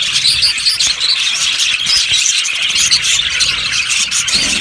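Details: Yellow budgerigars in an aviary colony chirping together, a dense continuous chatter of high warbling, twittering notes with no pauses, many birds calling at once.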